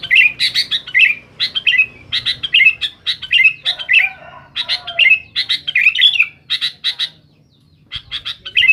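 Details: Sooty-headed bulbul in noisy rival-challenging song: lively, bubbly phrases of slurred chirps repeated about every half second, a brief lower murmur in the middle, and a short gap near the end.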